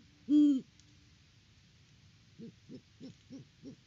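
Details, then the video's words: A Great horned owl at its nest tree on a farm in Peabody, Kansas, captured by a live cam on October 17, 2023. One loud, deep hoot sounds first, then after a pause comes a run of five soft, short, low notes. "HootFest @ the Nest!"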